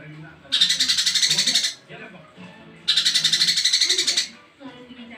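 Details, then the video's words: Male cungko, recorded as rich varied song for tutoring other birds: two harsh, buzzy rattling bursts, each about a second long and rapidly pulsed, separated by a pause. Faint low murmuring sounds underneath. "BURUNG CUNGKO JANTAN FULL ISIAN MEWAH COCOK BUAT MASTERAN"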